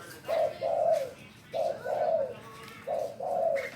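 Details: Spotted dove kept as a pet, trained to call on command, giving low mellow two-part coos repeated three times, each a short note followed by a longer one, at about one-second intervals.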